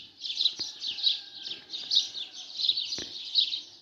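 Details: Morning chorus of sparrows: dense, bright chirps and tweets in a steady stream, pulsing in bursts about every half second to second, with a few faint clicks in the background.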